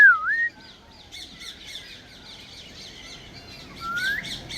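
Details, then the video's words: African grey parrot whistling: a dipping, curling whistle at the start, soft chattering chirps in the middle, and a rising whistle near the end. "African Grey Parrot whistling and making sweet sounds"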